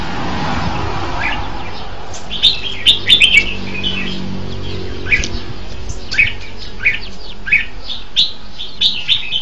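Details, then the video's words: Red-whiskered bulbul giving lively chirped and warbled phrases, spaced about every half second to a second after a noisy, rustling start, over a low background hum. "Tiếng chim chao mào hay hay nhất 2015"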